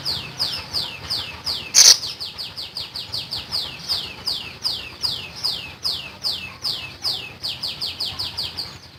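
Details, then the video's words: Common iora song, lively and full: a rapid run of descending whistled notes repeated about three times per second, each sliding down from high pitch, with one sharp broadband click near the two-second mark. "BURUNG SIRI SIRI GACOR FULL NEMBAK"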